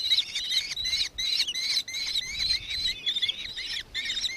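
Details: Shrill, repeated kee-kee notes from a nankeen kestrel in Victoria, Australia, 4 December 2024, delivered in quick bursts of about two to three per second with brief pauses, bright and piercing throughout.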